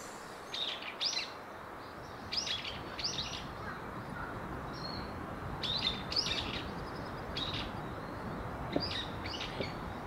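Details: House swifts at a colony of about 200 birds nesting under rooftop eaves of a building in Surugadai, central Tokyo, long settled. Bursts of shrill, buzzy twittering come in short clusters about every second, over steady low city rumble.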